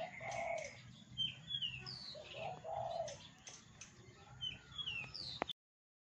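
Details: Captive-style mimicry from a Javan bush lark copying many songbirds: lower, rough warbled notes alternate with high, bright whistled slurs and chirps. Several sharp clicks are heard, and the sound stops abruptly near the end.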